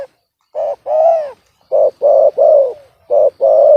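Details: A trapped spotted dove with a discordant, off-key voice, not the big voice the trapper wanted, gives rough, mid-pitched coos in short runs of two or three notes, each run ending on a longer drawn-out note.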